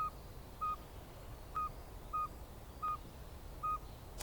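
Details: Northern saw-whet owl calling after dark, likened to a truck's backup alarm: a steady series of short, flat, mid-pitched toots, about two every second and a half, over a constant background hiss.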